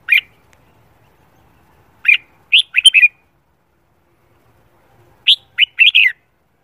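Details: Morning song of a red-whiskered bulbul trained for singing contests: a lone chirp, then a quick burst of four warbled notes, a pause, and another four-note whistled phrase.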